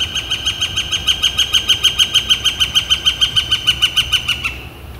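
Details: Loud, even run of ringing notes from a Northern flicker, steadily repeated for about four seconds before stopping abruptly, recorded on a warm, blue-sky April day in 2014.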